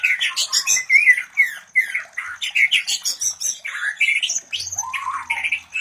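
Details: Shama mating vocalisations, white-rumped shama, used as breeding therapy for other birds; continuous rough chattering squawks and grating slurred notes in rapid irregular bursts.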